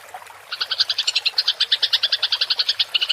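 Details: Fighting house sparrow's rolling chatter (ngerol) for tutoring songbirds: a short pause, then a steady run of sharp, high chirps at a rapid, regular pace to the end, with a faint low hum behind.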